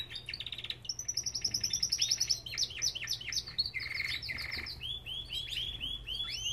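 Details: Belgian canary singing in an aviary, rapid pulsed notes opening into a high rattling trill, then cascades of quick slurred whistles and a buzzy mid-pitched roll, repeated in lively bursts over a low hum.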